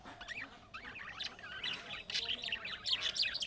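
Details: Budgerigar chatter played so pet birds answer, described as chick-style calling notes: fast warbling, wavering twitters and chirps in a rapid jumble, rising toward the end, with a faint hiss behind.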